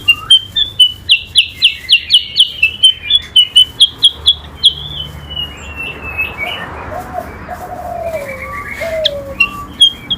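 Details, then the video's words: Chinese hwamei (kutilang sutra) in a singing contest against an oriental magpie-robin (kacer): a fast run of sharp, high chirped notes repeated about twice a second, then softer varied phrases, with low cooing notes in the background. "kutilang sutra SUPER GACOR vs Kacer adu kicau"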